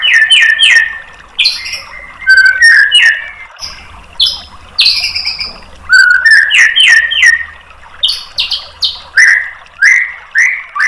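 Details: Tutor song of a white-rumped shama used to goad a bird into replying: bursts of harsh, squawking notes repeated in quick groups of three or four, mixed with sharp high chips and short whistles, separated by brief pauses.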